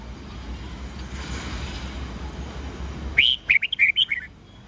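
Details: Red-whiskered bulbul morning song in the 'old forest voice' style of 8 to 10 notes, used to train young birds: after three seconds of steady low hiss, one quick phrase of about six sharp, clear whistled notes rising and falling.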